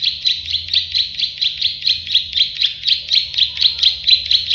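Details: Plain prinia, locally prenjak sawah or klik-klik, as a tutor recording: a loud, unbroken sequence of evenly spaced buzzy clicks, about four per second, throughout.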